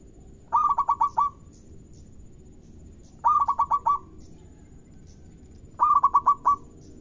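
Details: Zebra dove, a local bird, singing steadily to set other doves calling: three rhythmic phrases, each a quick run of about six bubbling coo notes ending in a drawn-out note, spaced about two and a half seconds apart.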